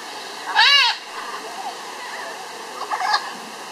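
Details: A blue-and-yellow macaw (Ara ararauna) gives one loud, harsh, half-second squawk, followed by softer scattered chatter over a steady background hiss.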